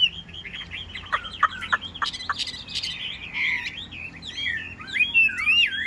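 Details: Newly acquired caged Chinese hwamei with a yellow bill, filmed in rain. Rapid rich warbling with sharp downslurred notes, then loud looping whistles rising and falling toward the end.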